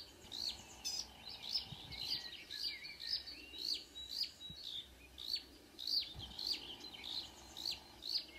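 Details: Marsh warbler singing at 5 a.m. on 2 June 2009 at Kråkstad near Ski, Norway, with a couple of singers present; a high, sharp note with a downward flick, repeated about twice a second in a quick, uneven series.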